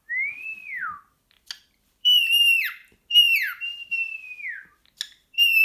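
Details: Pet cockatiel made hyperactive by a sock, giving clear whistled calls indoors: a rising-then-falling whistle, followed by several long level whistles that drop sharply at their ends, with brief clicks between them.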